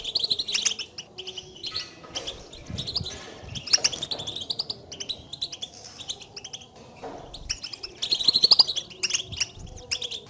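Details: Goldfinch contact calling, distinct from song, used to excite a silent goldfinch kept alone in a cage into singing; busy high twittering chirps in irregular bursts, overlapping callers, a louder run of notes near the end.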